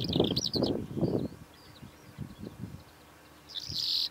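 Calandra lark song comes as bursts of high, scratchy chirps and trills at the start and end, with low thumping buffets of wind or handling noise in between.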